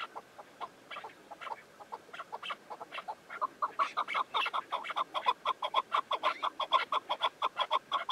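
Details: Chukar partridge calling in a steady run of clipped, clucking notes, starting sparse and soft and then quickening into a loud, regular chuk-chuk rhythm of roughly two notes per second.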